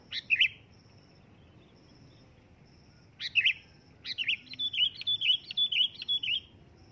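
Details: Sooty-headed bulbul call: two single bright chirps, then a hurried run of about eight bubbling, wavering notes lasting over two seconds, with a faint high intermittent tone in the background.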